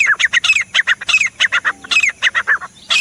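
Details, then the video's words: Rapid ringing grey francolin (teetar) calls, bright sharp notes grouped into rhythmic phrases, repeated about five times per second throughout three seconds. "The Sound Of The Pheasant Bird teetar bird"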